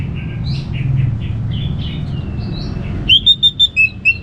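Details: Anis merah, the orange-headed thrush, in relaxed ngeplong song: soft varied warbling phrases, then a loud series of clear, slightly falling whistled notes repeated rapidly over a steady low hum.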